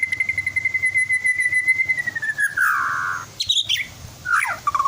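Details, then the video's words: Twelve-month-old captive white-rumped shama in Klaten, Central Java, singing to spur other shamas: one long steady whistle slowly sliding downward, then a harsh buzzy burst, sharp high chips and a quick falling slur. "Pancingan Murai Batu Agar Cepat Gacor"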